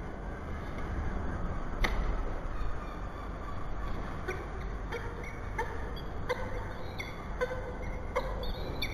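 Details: Peregrine falcon at a church nest box in Bath, 15 August 2018, seeing off feral pigeons that had been visiting the box; short harmonic call notes, scattered at first, then repeated roughly every half second, with sharp knocks over a steady low rumble.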